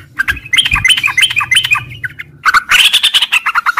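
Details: Sooty-headed bulbul singing a long 'ngropel' style song in the morning: dense run of quick fluty, rising and falling notes. There is a brief pause, then a louder, busier burst of chattering phrases. Low rumble underneath.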